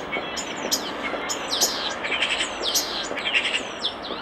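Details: Common starling song recorded at a nest box: rapid run of high whistles, slurred squeaky notes and clicks, about fifty a minute, with a noisy background.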